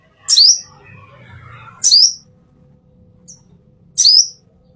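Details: Master recording of a plain-throated sunbird used for training caged birds: three piercing high chirps with a brief rising sweep, roughly two seconds apart, and a faint low background hum between them.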